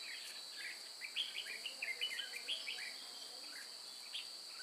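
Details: Red-whiskered bulbuls at Chùa Hương, recorded while trapping on 9 May 2018, give a lively run of bright whistled notes, some rising and some falling, over a continuous high-pitched insect hum.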